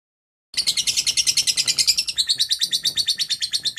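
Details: Lovebird giving the long 'ngekek' chattering song, used as a training recording for young lovebirds: after a brief silence, a rapid, steady stream of harsh, high chattering notes, about three per second, with a slight drop in pitch partway through.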